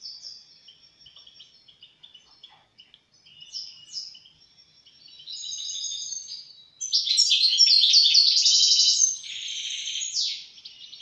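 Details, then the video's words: European goldfinch song building from scattered thin, high notes into a loud, dense, fast twittering passage with buzzy, rattling elements, then fading back to quieter chips. "طائر الحسون"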